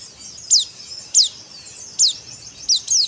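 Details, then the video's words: Dakbal-style white-eye song, used to stimulate birds into singing: high, piercing downslurred notes repeat roughly once a second, with a quick double note near the end, over faint hiss. "Kicau Pleci Dakbal"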